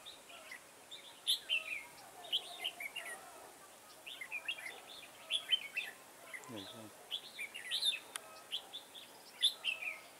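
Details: A red-whiskered bulbul sings during trapping in a garden on 9/10/2017. Lively clusters of quick whistled, slurred notes come in a steady stream, with a brief low rattling sound about two-thirds through.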